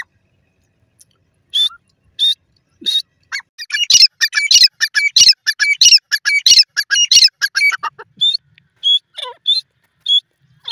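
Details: Grey francolin calling: a few spaced harsh notes build into a fast, loud series of rasping, ringing calls, then slow again to scattered notes.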